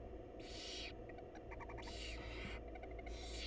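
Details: Wild barn owl family in a research nest box as the mother brings food: long harsh hisses alternate with quick runs of small clicking, chittering notes, all above a steady low hum.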